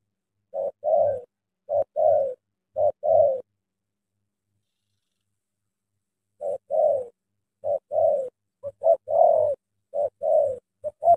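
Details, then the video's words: Captive decoy spotted dove cooing in the early morning to draw a big wild dove into a trap: three paired low coos, a pause of several seconds, then a faster, more broken run of short and drawn coos. "Kèo mồi thổ ( DK ) đưa bổi thổ cườm khủng về đội"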